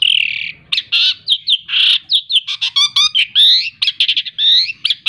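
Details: Long-tailed shrike kept as a pet after hand-feeding from a nestling, in full song: long buzzy rasps alternating with short whistled upslurs and a rattling, trilled sequence, delivered rapidly and without breaks.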